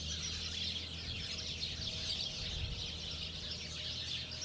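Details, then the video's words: House sparrows (Passer domesticus) at Moshav Kmehin, Negev, Israel: a dense, unbroken chatter of bright, overlapping chirps from several birds, over a steady low rumble. "Huismus - Passer domesticus - House sparrow - Haussperling"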